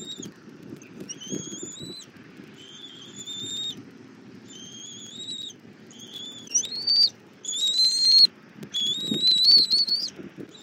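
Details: Bald eagle nest camera, Southwest Florida, February 24 2024, morning feeding of an eaglet with armadillo: a series of thin high whistled squeals, some level, some rising, growing louder and more insistent toward the end.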